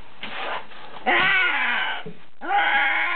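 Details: Two pet macaws, a Blue-and-gold and a Green-winged, out of their playpen in a basement and guarding their hiding spot: harsh, raspy, harmonic-rich squawks in three bursts, the middle one longest and loudest, indoors.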